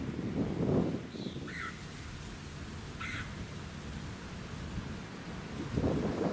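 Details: Red-headed Woodpecker filmed at Ludington, Michigan, USA, in June 2019: two short, harsh, raspy calls about a second and a half apart, set against strong low rumbling wind and suburban background noise.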